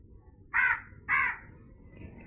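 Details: Crow giving two loud, hoarse caws about half a second apart, then quiet except for a low background murmur.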